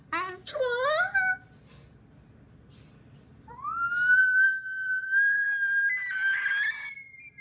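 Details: A pet male Moluccan cockatoo, chatty before bed as its owner plays with it, recorded June 2020: a few rising nasal calls, then a long steady siren-like whistled tone ending in a rougher burst.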